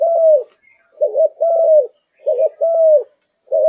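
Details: Malaysian-type spotted dove, a kept bird in peak singing form, coos low and mellow: a short double-humped note, then a longer note that slides downward, the pair repeated about three times in a quiet setting.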